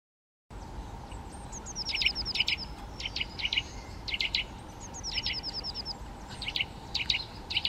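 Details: Eurasian nuthatch giving bursts of sharp, bright, clipped notes in quick runs, each burst lasting about half a second and repeating through the recording over a steady low background hum.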